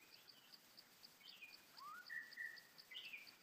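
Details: Trapped, angry White-rumped shama in the wild, 2017: clear whistled phrases, including a falling slur, a rising sweep, a long steady note and a higher closing flourish. A steady, rapid ticking pulse continues in the background throughout.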